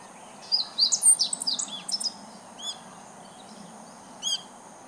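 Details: Meadow bunting, 19 July 2014, singing as if calling to the neighbourhood; one fast twittering phrase of high chirps, followed by two isolated sharp notes about two seconds apart over faint hiss.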